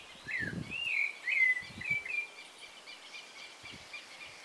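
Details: Sunrise song of a rufous-bellied thrush: a few fluty, sliding whistled phrases in quick succession, fading into soft hiss, with scattered low knocks in the background.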